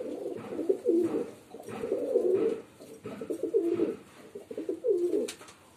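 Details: Female pigeon cooing: low, throaty, rolling coo phrases repeated about once a second, each swelling and then dropping away, with short quiet gaps between.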